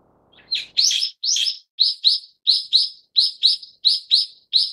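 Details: Loud rasping notes from a Brown-eared bulbul of subspecies harterti open the sequence, then give way to a run of about ten shrill notes, mostly in pairs, repeated unevenly and steadily.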